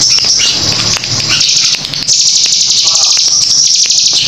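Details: A hill prinia in full song sings a dense, high, rapid stream of sharp chipping notes, fired almost without pause for the whole stretch.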